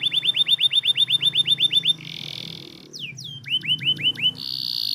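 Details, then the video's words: Lure song for lazy canaries: a fast series of about fifteen evenly spaced, downward-swept whistled notes, then a buzzy roll, more swooping notes and a sustained high rattle. "PANCINGAN KENARI MALAS BUNYI"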